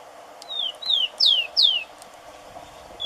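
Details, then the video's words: Rufous-collared sparrow (Zonotrichia capensis) singing, a bird of Brazilian gardens, yards and farmland: four clear whistled notes sliding downward, the later ones louder and steeper, then a brief start of another note; faint steady background hum. "Tico-tico Cantando Muito"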